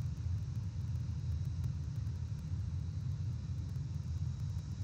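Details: Only a continuous deep engine-like rumble is heard, with no animal voices.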